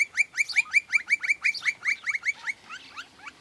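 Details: Campo Flicker in rural groves of Santa Fe, Argentina, 2023, a species with an alarm call and another call often given as a duet: a fast run of harsh, downslurred notes, about fifteen in three seconds, fading toward the end.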